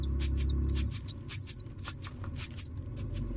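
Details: Baby mynas being fed as a parent brings food: rapid high, thin chirps in quick pairs and bursts, over a steady low hum.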